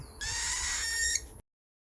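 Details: A young cockatiel being hand-fed gives a harsh, raspy, high-pitched begging screech lasting just over a second.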